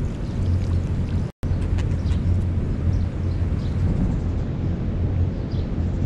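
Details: Steady low rumble of wind or engine noise dominates throughout, broken by a brief dropout of silence near the start, with no clear animal calls.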